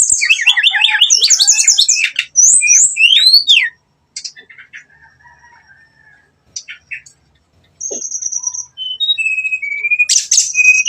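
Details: Song of a brown-chested jungle flycatcher played as a lure to stir up aggression, nembak style: fast clusters of high sweeping notes, a quiet stretch with faint calls, then steady level whistles and a loud final burst.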